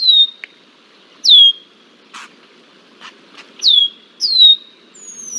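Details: Red-winged blackbird harassing a bald eagle, Decorah, Iowa, July 20, 2023: loud piercing whistles that slide downward and trail off, four in quick succession, separated by a few faint clicking sounds.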